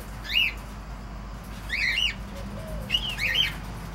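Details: Cockatiel calling: three shrill chirped calls that rise then dip, spaced roughly one and a half seconds apart, over a steady low background hum.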